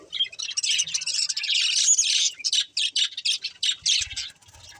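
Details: Budgerigars chirping in a dense, continuous warble of high, buzzy notes that breaks into quick separate chirps, about four per second, toward the end.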